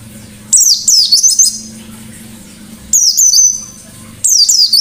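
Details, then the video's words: Caged white-eye in lively forest-style song: bursts of high, sweeping notes that drop in pitch, with a long thin whistle held in the middle phrase; faint low hum beneath. "Burung Pleci Gacor Ngalas Nembak || Pancingan Pleci Ngalas"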